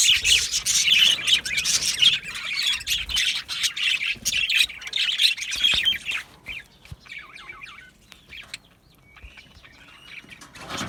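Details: Budgerigars in an aviary colony: dense chattering chirps and squawks for about six seconds, then thinning to scattered warbled notes and short rising-falling calls.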